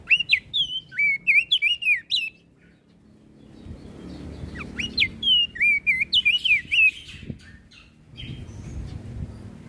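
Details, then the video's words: Flores crested white-eye singing to excite other birds: two bursts of rapid, ringing whistled notes with steep up-and-down slurs, separated and followed by low rumbling background noise. "Opior Jambul flores Gacor Bikin Emosi Burung Yang Dengar Pasti Langsung Ribut"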